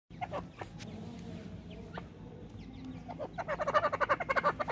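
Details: Female grey francolin (dakhni teetar) feeding with her chicks. A few soft scattered notes, then a rapid, uneven run of short clucking pulses near the end.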